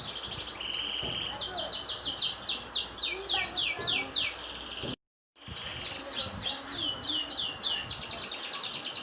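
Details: Canary delivering a long song: high, rapid trills of fast downward-sweeping notes, several per second, changing into varied chattering runs, broken by a brief silent gap midway.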